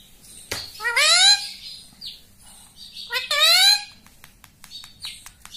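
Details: Rose-ringed parakeet kept as a pet, speaking words like mummy after a person's prompts: two loud harsh rising-falling multi-part phrases about two seconds apart, plus sharp clicks and tapping in a small room.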